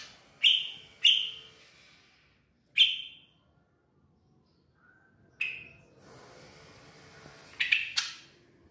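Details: A tame bar-winged prinia at Kotaraja, Jayapura, gives loud, sharp, high chirping notes, mostly in quick pairs, spaced irregularly over several seconds, with a faint hiss behind the later notes.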